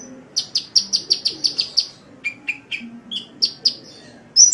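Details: High sunbird chips for masteran training, given in a quick regular run, then several lower, fuller notes and a few more high chips, ending on a sharp rising squeak.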